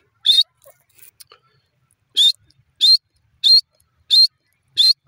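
A francolin gives loud, harsh, high-pitched notes, repeated about every two-thirds of a second in a steady series of five. A few faint clicks sound between them.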